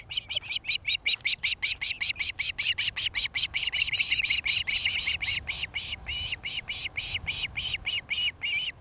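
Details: Osprey calling at its nest near Charlo, Montana, nest cam, 26 July 2018, 17:01–18:01; continuous fast chirping whistles, about two and a half a second, loud and persistent across the whole stretch.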